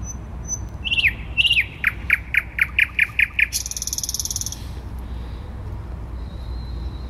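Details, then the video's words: Thrush nightingale song in the city centre of Warsaw, 12 May 2020: a thin whistle, two slurred notes, then a rapid series of hard repeated clicks ending in a grating rattle, traffic hum beneath. "Słowik Rdzawy śpiewa w centrum Warszawy"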